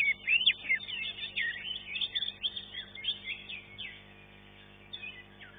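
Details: Green leafbird in a bird-singing competition, awarded third place; strong opening flurry of sharp chirps and slurred whistles that gradually thins and fades toward the end.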